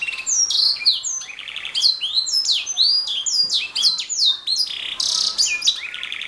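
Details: Canary singing steadily: fast, varied high whistles, downward slurs and buzzy trills strung together without pause.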